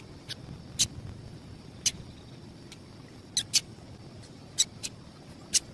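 Sharp, high chips from a female double-collared seedeater, given singly or in quick pairs at uneven intervals, over a faint steady high hiss and low background rumble.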